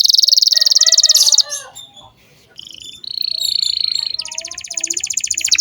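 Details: Canary lure song meant for young canaries, a dense buzzy roll, a short pause, a steady whistled tour and a fast pulsing high trill.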